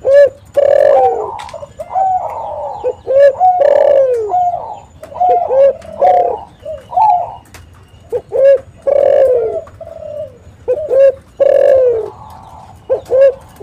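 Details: Continuous spotted dove cooing used as a lure to make other doves call back. Many loud phrases of clipped notes and long downward-sliding coos overlap, with another dove cooing more softly.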